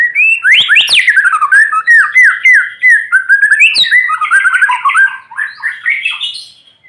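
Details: White-rumped shama singing in the morning sun, used to prompt quiet shamas to sing: a loud, rich, fast run of varied whistles, rising and falling slurs and harsh squawky notes, continuous throughout.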